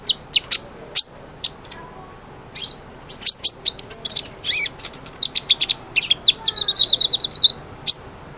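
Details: A kolibri ninja sunbird in full song, meant as a tutor for white-rumped shama: scattered sharp high ticks, then a dense burst of thin chirps and a short trilled phrase of repeated whistled notes.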